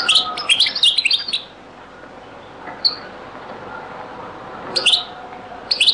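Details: Old recording of a European goldfinch in the Beni Messous 'les avocats' (zaboka) song style: a quick twittering phrase at the start, then long quiet broken by a few isolated sharp notes.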